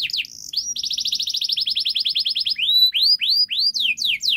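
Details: Canary singing to encourage non-singing canaries, with a long steady series of fast repeated notes followed by spaced, rising whistled sweeps.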